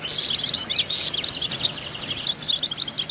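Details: European goldfinch singing to stimulate goldfinches: an opening burst of harsh, buzzy notes followed by fast, high twittering and tinkling chirps running continuously to the end.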